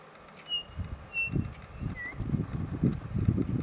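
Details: Large numbers of white-backed vultures, with a few larger Cape vultures, squabbling over a recently dead elephant in northern Kruger National Park; harsh low grunting and hissing bursts come in quick succession, with a few thin whistled notes from other birds above.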